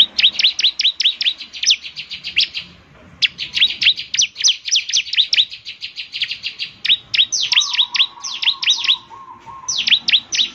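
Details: Bar-winged prinia (ciblek) singing vigorously so other prinias answer: long runs of fast, high, sharply slurred chirps with brief pauses, and a faint steady tone in the background near the end.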